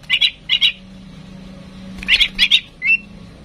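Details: Tame female oriental magpie-robin, kept to prompt other birds to sing, gives short buzzy, harsh chattering notes in pairs, then a single rasping note, over a steady low hum.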